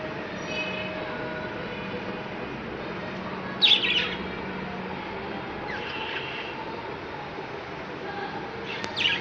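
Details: Home-bred budgerigars in Lahore, Pakistan, including fallow, red-eyed and spangle birds, give a few short, bright chirps over a steady background hum.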